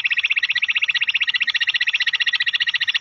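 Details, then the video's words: A bush quail call used for quail hunting: a fast, unbroken, buzzy trill of rapid high pulses holding steady throughout, with no other sounds. "quail calling hunting | bush quail sounds lahori awaaz"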